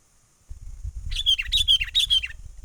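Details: Sooty-headed bulbul calling in the wild, used as a trapping lure, 'menggaruda' style: a quick series of about eight sharp descending chattering notes over low rumbling background noise.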